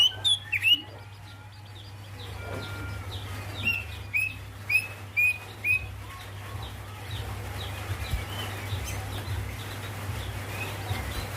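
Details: Female greater green leafbird calling to the male: a run of short, bright rising whistled notes in quick succession early on, then softer scattered chirps over a steady low hum.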